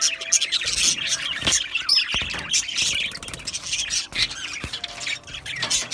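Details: Australian budgerigars chattering in an aviary colony: overlapping bright chirps and squeaky warbles that surge and dip in loudness, with a few sharp clicks.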